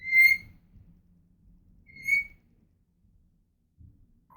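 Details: Pet female African grey parrot giving two clear, high, pure whistles about two seconds apart, each short and steady, with faint low room noise between them.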